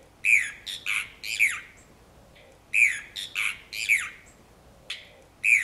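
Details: Brown cacholote (Pseudoseisura lophotes), a single bird calling at Reserva El Tabaquillo, Merlo, San Luis, Argentina, on 22 August 2012: loud, harsh squawking bursts, raspy notes in quick clusters separated by brief pauses, against a quiet background.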